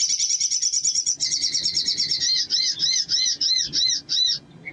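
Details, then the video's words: Crimson sunbird singing a rapid high buzzy trill that slows into a string of arched, squeaky notes about three per second, over a faint low background hum. "SOGON GACOR PANCINGAN NGLEPER"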